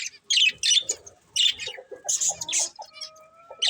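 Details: Budgie chirps come as separate squeaky high bursts, with softer mid-pitched notes and a steady whistled tone toward the end.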